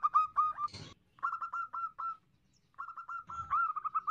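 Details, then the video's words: Female zebra dove calling, used to lure males: rapid series of short, clipped notes at an even pitch, in bursts of about a second with brief pauses, broken by two loud broad rustling thumps. "Pancingan Prekutut Betina Gacor"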